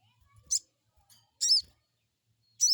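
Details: Crested jay crecet call, played as a lure for an untrained bird: three harsh, layered high chips, each brief and buzzy with arched upper tones, over faint low rustling.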